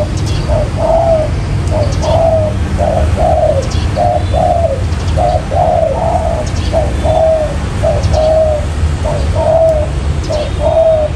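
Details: Spotted dove coos used to lure birds into traps: steady run of doubled soft hooting notes about once a second, with occasional sharp clicks and a constant low rumble.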